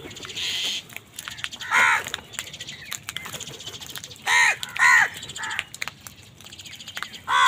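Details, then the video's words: Crows squabbling with wild birds over food utter rough angry caws, single and paired, spaced a second or two apart, amid outdoor noise and a higher buzzy sound. "Angry kawa ki awaaz"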